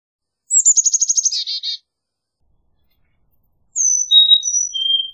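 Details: Carolina chickadee giving a rapid series of sharp notes sliding into a buzzy dee-dee ending, then after a pause a short high whistled song phrase of stepping notes.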